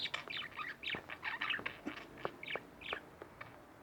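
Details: Caged pair of budgerigars chattering at home, giving quick, bubbly warbled notes in short bursts, each chirp bending up and down, with brief gaps and soft clicks between phrases.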